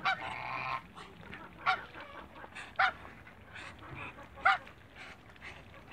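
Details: Pair of African geese in a backyard with other waterbirds, giving loud nasal honks at irregular intervals of one to two seconds, with a longer harsh call at the start and steady background hiss.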